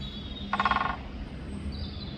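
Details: A great spotted woodpecker at Grajska planota, Ljubljana, in late May gives one rapid, even burst of about eight knocks in under half a second. A low hum and distant rumble run throughout.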